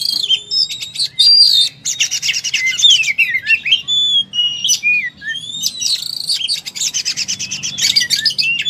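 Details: Oriental magpie-robin singing hard in full fighting mode, pouring out a rich medley of whistled slurs, buzzy rattles and quick chips strung together without pause.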